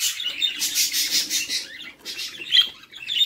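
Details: Budgerigar chicks fed by the mother in a nest box: a burst of rapid buzzy chirping, a short pause near two seconds, then sharper squeaks resuming.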